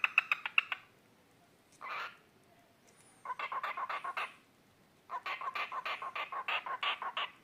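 A cockatiel gives bursts of harsh, rapid chattering notes separated by brief pauses.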